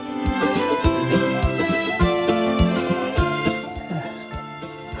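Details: Plucked-string traditional music with a steady beat, and no animal voice audible.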